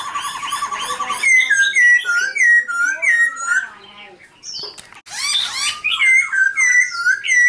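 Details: Silver-eared laughingthrush delivering a fast, rhythmic run of short, slurred, whistled notes, repeated several times a second. A brief pause follows, then another lively series of the same bright, bouncing phrases.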